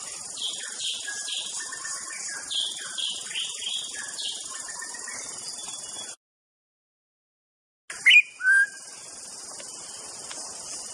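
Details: White-rumped shama singing a run of varied, fairly soft whistled phrases that falls silent, then resumes with two loud clear notes, over a constant high insect hiss.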